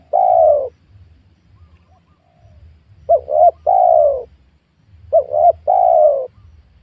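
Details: Young oil palm plantation on new farmland, where wild spotted doves are lured. A long smooth coo opens, then two phrases of a hooked double note followed by a steady drawn-out coo, evenly spaced, with soft background rumble.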